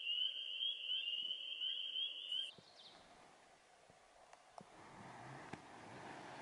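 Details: A White-throated Sparrow in northern Minnesota's Boundary Waters on a crisp morning holds one long, pure, steady high whistle for about two and a half seconds, then quiet outdoor background with a few faint clicks.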